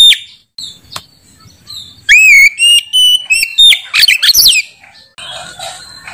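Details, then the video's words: Oriental magpie-robin in loud, bright, nonstop song: scattered high notes, then a run of clear rising and held whistles, followed by a rapid burst of harsh, tangled, chattering notes and a faint hiss. "Burung Kacer Bersuara Kinclong"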